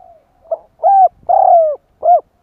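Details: Spotted dove call used to draw in wild doves: a brief soft note, then a rounded coo, a long drawn-out descending coo and a short closing coo, all low and mellow in a quiet setting.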